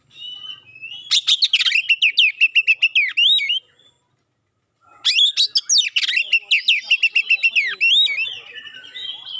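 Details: Magpie-robin singing sharp 'shot' phrases and clear notes to make rival birds respond: two loud bursts of fast, varied whistles and sharp descending strokes, separated by a second of silence.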